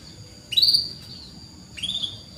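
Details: Canary chirps used to prompt canaries that rarely sing: two sharp, high, upward-sweeping whistled chirps about a second apart, the first stronger, over a steady faint hiss.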